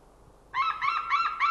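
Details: White-tailed eagle without rings, jumping and calling in the air at a winter feeding ground in Nova, Estonia, 20 January 2013 at 09:56: an abrupt series of loud, ringing yelps, about four per second, each slightly rising.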